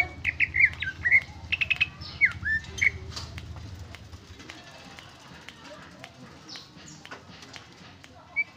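A greater green leafbird sings a rapid run of clear whistles, slurs and sharp chirps for about three seconds, then only sparse faint notes over a low rumble.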